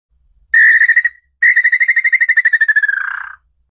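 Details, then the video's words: Red-legged tinamou song used to attract the bird. A short steady whistled note is followed by a long series of rapid pulsed whistles that slowly fall in pitch and end in a lower, softer note. "canto para atrair lambu pé vermelho"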